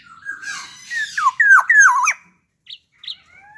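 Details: Caged, hand-raised black-naped oriole giving a loud phrase of liquid, sliding whistles that dip and curl upward, followed by two faint short notes.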